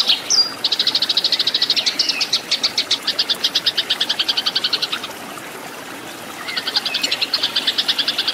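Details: Eurasian tree sparrow fighting song used as training material for cage birds: fast runs of sharp, high chirps repeated several times per second, a pause near the end, then another burst over a steady background hiss.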